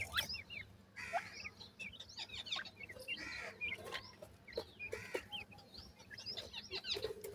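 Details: A group of young francolins peeps steadily while eating. Clustered high, falling chirps come from several birds at once, mixed with bursts of scratchy rustle and clicks of pecking at food.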